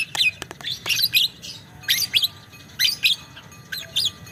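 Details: Lovebird long chattering 'ngekek' song: paired and tripled bursts of shrill, squeaky high notes about every second, sharp and clear above a soft low hum.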